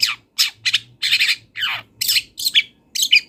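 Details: A wild long-tailed shrike sings with mimicked fill-ins. Loud harsh rasping notes, some falling in pitch and some ending in a thin whistle, come roughly three per second.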